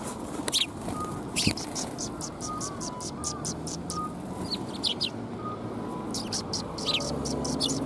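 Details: Sparrows coming to a shrine to be fed in February 2021 utter scattered high chirps and quick chirp runs, with faint steady tones and low background rumble.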